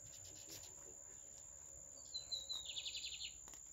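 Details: Lined seedeater singing in the style called "alemão": a thin, high whistled note gliding gently downward, then a quick buzzy trill of rapidly repeated notes lasting about half a second, over a steady high-pitched electronic whine.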